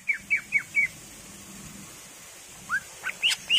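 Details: Gacor full isian pancingan song of a greater green leafbird: four quick falling whistles, a pause, then rising whistled notes and a sharp high chip, over a steady hiss and hum.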